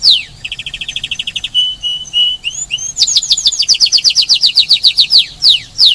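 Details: Spanish timbrado canary singing on Rhodes island, Greece: a pulsed trill shifting into smooth whistled tones and slurs, then a rapid rhythmic series of bright downswept notes with loud sweeps at the end.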